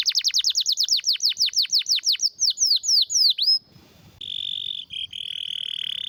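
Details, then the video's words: Canary singing a rare, forceful tutor song: about twenty repeated falling whistled sweeps that gradually slow, a short quiet gap, then a steady mid-high rattling roll broken once. "Canário com Canto Raro e Forte – Ótimo para Seu Mestre Canário HD - CANARY SOUND MELODY"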